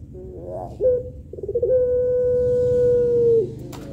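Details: Puter pelung, a Barbary dove, calling to males with a melodious voice: a few short rough notes lead into one smooth, level coo sustained for about two seconds, over a low background rumble.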